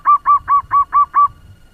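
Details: Fast-singing local zebra dove kept as a lure to stir up other doves: six loud, evenly spaced, rounded cooing notes in quick succession, then quiet.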